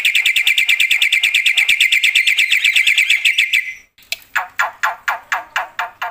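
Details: Loud black-winged myna song meant to rouse other mynas: a long rapid series of bright chattering notes, a short pause, then slower, spaced, harsh downslurred notes about twice a second.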